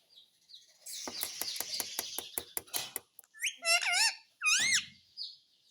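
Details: Talking pet parrot, said to say "Papa Mitthu". Rapid rhythmic tapping over a hiss comes first, then a few loud, wavering harmonic calls that rise and fall, and a soft high whistle to finish.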